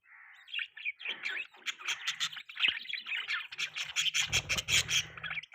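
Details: Budgerigar giving a dense, fast stream of sharp high chirps and clicks that run together into a busy warble, with a low rumble near the end.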